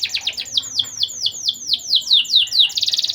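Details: Persistent canary singer used as a lure for young canaries' mating urge; rhythmic string of loud, high, downward-sweeping chirps about three per second, ending in a quick buzzy trill.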